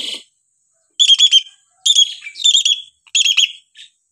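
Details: Hill myna sound variation for tutoring young mynas: loud clear whistled notes delivered in quick bursts of three or four, repeated in four groups within a few seconds, bright and ringing.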